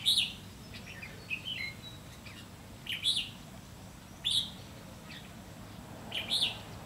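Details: Red-whiskered bulbul at a trapping site with a decoy, 30 May 2016; loud, sharp chirped notes in pairs and singles every one to two seconds, with softer notes between, over low steady noise.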